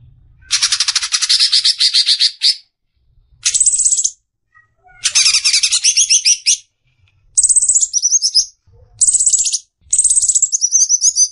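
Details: Greater green leafbird song for training caged birds: bursts of dense, rapid chattering and twittering phrases, high-pitched and buzzy, in blocks of one to two seconds separated by short silences.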